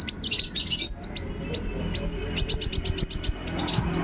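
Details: Ruby-cheeked sunbird in energetic, continuous song: rapid, very high, thin chirps and sharp downslurred notes, densely packed at first, then a quick regular run of clipped ticks and a final tangled burst. Low background hum.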